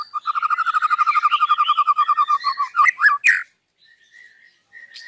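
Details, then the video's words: Morning singing from a white-rumped shama running through its repertoire: a rapid series of about twenty-five identical low whistled pulses, then a few harsh squawky notes and soft high whistles. "PAGI HARI MURAI BATU INI SUDAH BUKA SUARA KERAS DAN BONGKAR ISIAN"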